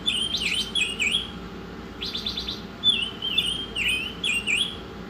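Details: Oriental magpie-robin masteran song with swooping whistles, a sudden stuttering rattle in the middle, then a run of level and down-curved whistled phrases.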